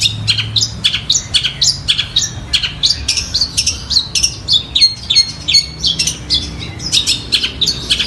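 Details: Long-tailed shrike song copying a tree sparrow and a tiger shrike: a continuous medley of sharp chirps and short whistled slurs, irregular and quick, over faint low background hum.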